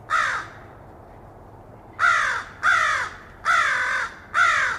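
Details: Crow caws, recorded directly. One harsh, raspy call comes first, then a pause, then four quick hoarse caws in close succession, each falling slightly in pitch. A faint low hum runs underneath.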